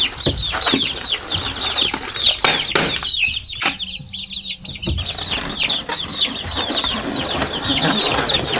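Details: Colourful chicken chicks chirp in a dense high chorus of descending peeps, with loud clattering and rustling noises near the start and a short quieter lull around the middle before peeping resumes.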